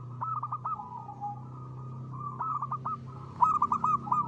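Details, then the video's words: Local zebra dove singing freely in the crisp ngristal style: rolling, staccato coos on a fairly low pitch, each phrase a quick stutter of notes ending in a drawn-out coo. The phrases repeat in bursts over a steady low hum. "perkutut lokal gacor.suara ngristal"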